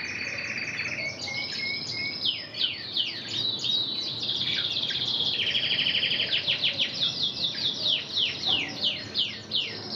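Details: Red intense canary breeding hen trained in Spanish Timbrado song, performing: opens with a steady high whistled tone, then a long run of rapid rolling trills and metallic descending sweeps, about three per second, continuous and loud to the end.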